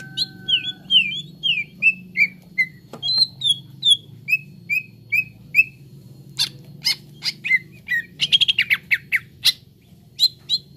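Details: Green leafbird (cucak ijo) in a recording used as therapy to get birds singing fast and full. A series of downslurred whistled notes, about two per second, gives way to sharp clicks and a quick burst of high notes.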